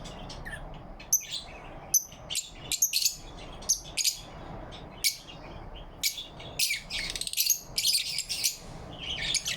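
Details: Lovebirds in the morning light on November 4, 2023: scattered shrill chirps that grow denser and louder toward the end, with clusters of quick scratchy notes.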